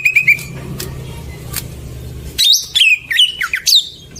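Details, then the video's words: Greater green leafbird song meant to coax silent birds into singing: a short sharp trill over a low hum, a pause, then loud sweeping whistles that rise and fall steeply. "Pancingan burung cucak ijo macet"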